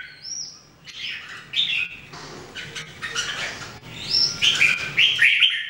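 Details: Caged Red-whiskered Bulbuls, three birds, practising song daily: a high thin whistle, scattered chirps and clicks, then a loud burst of rich warbled notes toward the end.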